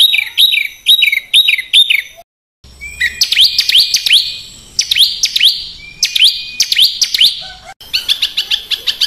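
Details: Harsh 'besetan' song of a small bird meant to teach contest and house birds: clipped, repeated high whistled notes, then loud rising and falling swoops and a closing rapid chatter.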